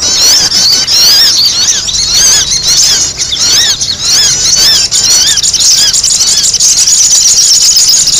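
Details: Sogon, a sunbird, calling in a noisy lure recording. Bright, high chattering of wavy up-and-down squeaks repeats about twice a second, steady and unbroken, with faint low rumble.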